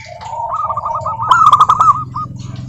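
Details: Zebra dove of the local type singing, meant to spur other doves to sing: a rising run of quick rolling coos into a loud clipped burst, with a steady low hum in the background.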